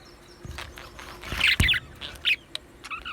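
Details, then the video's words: Two male Australian budgerigars chirping: a few short, bright chirps in brief clusters over about three seconds, separated by quiet gaps, with a couple of dull low thumps in the background. "2 Male Budgies Birds Sounds | Australian Budgies Birds chirping sounds"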